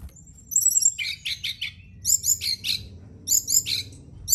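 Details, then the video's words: Brown-chested jungle flycatcher song played at night to coax other birds into singing: bursts of sharp, high, buzzy chirps and thin whistles in three phrases, with short pauses between, over a faint low hum. "Pancingan & Terapi Burung SRDC dimalam hari biar tambah GACOR & CEPAT NGEPLONG"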